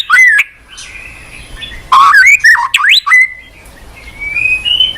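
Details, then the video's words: White-rumped shama lure song, meant to prompt a reluctant caged shama to answer and sing its varied repertoire: clear whistled notes near two kilohertz, then a burst of quick rising and falling slurred phrases, ending in a long, slowly rising whistle. "Pancingan MURAI BATU MALAS BUNYI Sekali putar langsung NYAUT ,GACOR & BONGKAR ISIAN"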